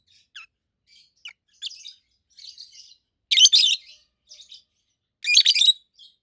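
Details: Two adult pet rosy-faced lovebirds, a red-head green opaline and a white-head pallid aqua opaline, give scattered thin high chirps and two loud, rasping shrill bursts about two seconds apart.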